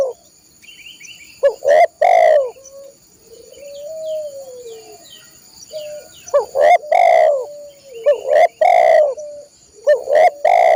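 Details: Song of a spotted dove meant for training caged birds: loud, husky coo phrases of clipped and drawn-out notes, separated by gaps in which softer distant cooing and faint chirps continue; steady high hum behind.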